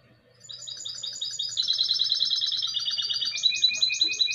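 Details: Goldfinch × canary hybrid, classic style, in 2020: a continuous run of quick high trills that steps through several pitch levels, growing louder and ending with higher, sharper notes.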